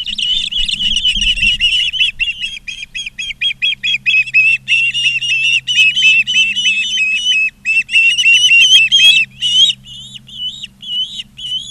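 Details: Ospreys at a nest in Charlo, Montana, on 20 August 2023 in the afternoon, recorded by a live nest camera: rapid, shrill whistled chirps pour out in long irregular runs, some slurred upward, over a steady low electrical hum.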